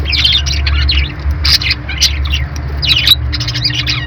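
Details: Budgerigar twittering in dense clusters of squeaky chirps and harsher squawky notes, a brief lull midway, and a steady low hum underneath.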